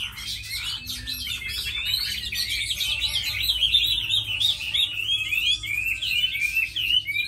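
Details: Tame hwamei, noted for fighting well and singing beautifully, pours out a long, rapid, jumbled warble of looping whistles and trills, rising steadily in loudness through the phrase.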